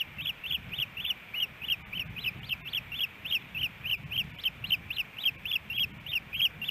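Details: Nesting ospreys in Hellgate Canyon, Missoula, Montana, on an April 18, 2018 morning with fish brought to the nest, nest-camera sound: a long, insistent string of high, clipped whistles at about three or four per second over low rumbling noise.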